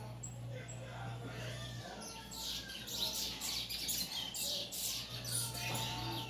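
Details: Caged bullfinch of a white-throated full brown type, on its third day in the cage, giving bursts of sharp, high chirps and rapid twitters that peak in the middle seconds, over a steady low electrical hum.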